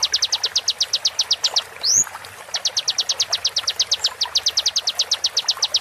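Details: Konin shot sequence prepared as master material for songbirds, slowed with water therapy: a brief ticking run, one quick rising whistle, then a long steady train of high downslurred notes.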